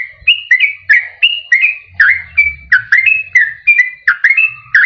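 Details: Yellow-vented bulbul song used to lure wild birds and to stimulate caged birds that sing little: rhythmic, bubbling two-part whistled notes, about three per second, with a faint low hum underneath.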